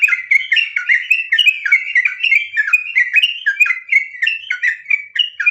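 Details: Unbroken ngropel song of a sooty-headed bulbul (trucukan): dense, loud, bubbling whistles tumbling quickly over one another without a break, lively and chattering throughout.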